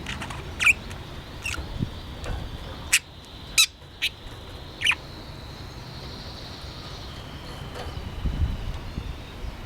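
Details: Pet budgerigar playing with its homemade toy: a handful of short, sharp chirps scattered over several seconds, mixed with dry clicks and taps from the toy and a low background hum.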